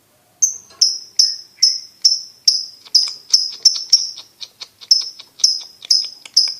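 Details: Champion competition lovebird singing a long, fast run of bright, piercing chirps, each with a short ringing tail, repeated more than twice a second with small ticking sounds between.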